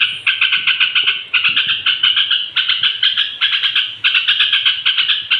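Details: Straw-headed bulbul song for provoking other bulbuls before sleep: rapid pulsing warbled notes grouped into bursts of about one second, each fading slightly before the next begins.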